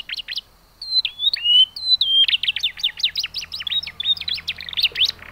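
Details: Young canary chirping, used as a lure to prompt canaries to sing: rapid high, sharp chirps and short whistled notes in quick bursts, with a brief pause near the start, then dense repeated chirping to the end over a faint low hum.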